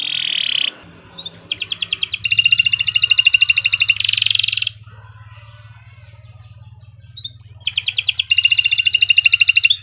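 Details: Canary in long continuous song, used as a model for training other birds: rapid buzzy trills of fast repeated high notes, a steady rolling burst of about three seconds, a pause, then another trill, over a low hum.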